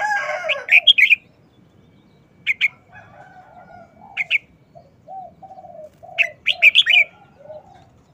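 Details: Red-whiskered bulbul kept in a cage sings its fast short wild-song phrases: clipped whistled notes in clusters, a single note repeated alone, and a final lively burst, with a series of low cooing notes in between.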